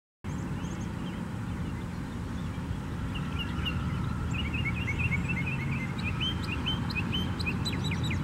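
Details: Several rusty blackbirds (Euphagus carolinus) at Tattnall Square Park, Macon, Georgia, on March 12, 2015: short, squeaky, creaking notes in a loose chatter from about three seconds in, over a steady rumble of traffic.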